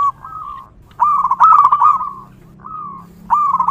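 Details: Zebra dove, local bird in the wild, singing: drawn-out cooing phrases that break into a rolling flurry of quick notes, with a softer low hum in the background.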